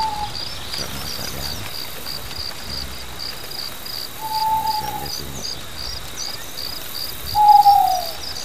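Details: Mantanani scops owl at night on Mantanani Island, between Borneo and the Philippines, giving three spaced, mid-pitched hooting notes, each level then dipping, about three to four seconds apart, against a constant rhythmic insect chorus.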